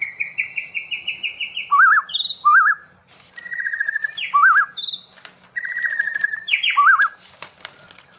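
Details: A long-tailed White-rumped Shama of the Bahorok type, freshly taken from the wild forest, repeats a phrase of a fast buzzy trill followed by a sharp zigzag whistled note, about three times, with a few high squeaks between.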